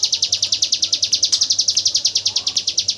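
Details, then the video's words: Hill prinia in its 'tembakan AK47' song, used as training audio for white-rumped shamas: crisp, high, staccato notes repeated rapidly and evenly, about seven to eight per second, against a quiet background. "Suara burung ciblek gunung tembakan AK47"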